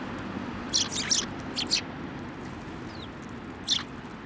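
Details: :Sparrows coming to a bench for food at a Tenmangu shrine in Japan on 17 December 2023; a few short, high, bright chirps come in quick pairs near the start and one more near the end, over a low steady background hum.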